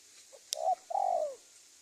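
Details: Spotted dove lure call for catching wild doves in Indonesia: a sharp click, a short hooted coo and a longer slurred coo falling at the end, over light background hiss.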